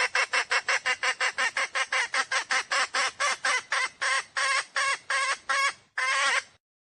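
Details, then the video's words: Hen junglefowl decoy call meant to lure wild roosters into traps: a long, steady run of rasping cackles that gradually slow and lengthen into drawn-out squawks before stopping. "Tiếng gà mái mồi 2022 chuẩn nhất để dụ bổi / tiếng gà mái chuẩn"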